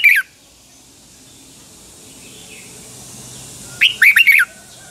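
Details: Red-whiskered bulbul from Thailand, of the Pa La-u line, singing its double-style song: a clipped note at the start, several seconds of near silence, then a fast cluster of four or five ringing, warbled whistles.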